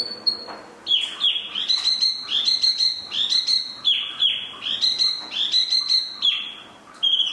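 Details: Spot-throated babbler, locally called tieu mi, singing a long run of rapid, ringing high notes in short repeated phrases, after a brief opening whistle.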